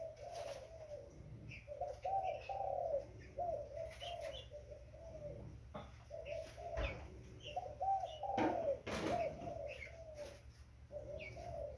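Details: Young spotted dove giving a long series of soft, slightly rough coos, grouped in bursts with short pauses, accompanied by occasional sharp clicks and small high chirps.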